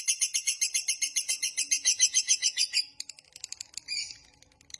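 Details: Long quick 'ngekek' of a lovebird, for luring and training lovebirds: a regular, piercing chattering trill of about four pulses a second for three seconds, then faint scattered chirps.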